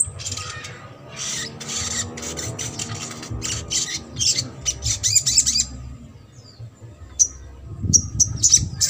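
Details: Trotol-style song of a sogok ontong, used to stimulate birds that have stopped singing: thin high chatter bursts in the first half, then scattered single sharp ticks and short tinny notes, over a steady low hum.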